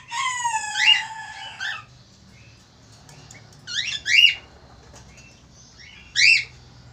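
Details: Male Australian falk, described as a lively, frequent singer, giving a loud strident chirp with a low sustained tone, then two sharp descending squawked notes a few seconds apart; quiet indoor hum beneath.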